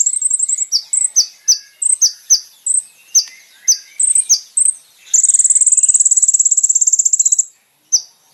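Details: Kolibri ninja song prepared for training caged birds: rapid high thin chips and short downslurred notes repeated about twice a second, then a long, even, very high trill lasting over two seconds, and one final chip.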